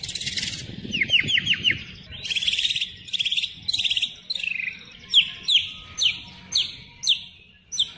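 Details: Murai batu, or white-rumped shama, in energetic full song used to lure other birds: varied quick slurred notes and buzzy bursts, then well-spaced, downslurred whistles about twice a second over a faint background hiss.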